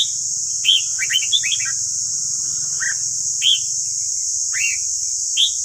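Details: Red-whiskered bulbul song in a recording to train caged birds: a quick warbled phrase, then single bright rising whistles spaced about a second apart, over hiss and a low rumble.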